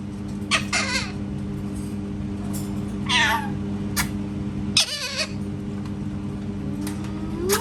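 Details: Parrot imitating cat sounds: several short, scratchy meow-like cries and clicks scattered through the recording, with a steady room hum underneath.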